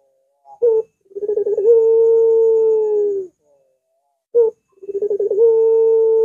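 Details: Spotted dove giving long drawn-out coos: a short note, then a fluttering run that settles into a sustained low coo lasting nearly two seconds, repeated twice with clean silence between.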